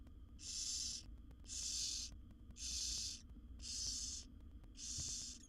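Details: Wild barn owl owlets at a monitored nest box, a brood of seven being fed by their mother, give harsh broadband hissing snores, five long rasping bursts about one per second, steady low hum beneath.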